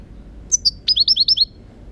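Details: European goldfinch song phrase: two thin high chirps, then a rapid run of about six tinkling, downward-slurred notes repeated in quick succession, crisp and metallic over faint low hum.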